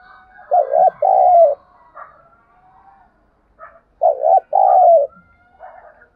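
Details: Decoy spotted dove calling to draw and excite wild birds: two low coo phrases three and a half seconds apart, each a brief warbled note then a long rolling coo, with faint soft chirps between.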